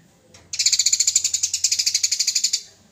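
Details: Aggressive, fighting Eurasian tree sparrow on a master recording for training cage birds: one continuous two-second rattle of about twenty fast, harsh, even pulses after a brief faint note.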